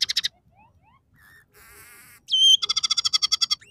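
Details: Scaly-breasted munia song in one of three variations, with phrases taken from sparrow, red siskin and canary: quick high chirps, faint rising whistles, a long buzzy wavering note, a loud bent whistle, then a fast ringing trill.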